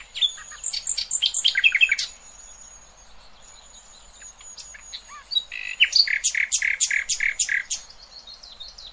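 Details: A Common Nightingale sings rich, varied phrases of rapid chirps, trills and sharp whistles, in bursts with a pause between, over a faint high steady hiss; the song is played to tutor young goldfinches and hybrids.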